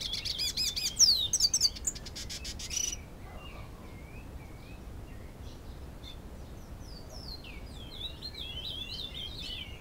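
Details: Hooded siskin, captive-born and two years old, courting a female Belgian canary in Canoas, Rio Grande do Sul; loud bursts of fast twittering and trilled notes for three seconds, then faint, scattered high chirps and slurred whistles.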